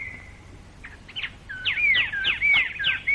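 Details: Forceful daytime song of a plain babbler in Malaysian rainforest, recorded late 1950s to early 1960s: a soft drawn whistle, then loud chattering notes laced with bright whistled slurs, repeated in quick succession.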